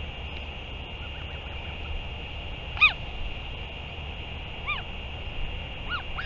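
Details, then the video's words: Return and feeding of a Northern royal albatross, 31 May 2023: three sparse, bowed harmonic calls, the first loudest, spaced about two seconds apart over steady hiss. "Northern royal albatross 31 05 2023 4 ~ L return & feeding"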